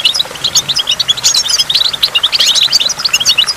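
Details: High goldfinch twittering recorded by a waterfall, meant to stimulate goldfinches: rapid bright chirps and jingling notes tumble along steadily for the whole stretch, light and metallic.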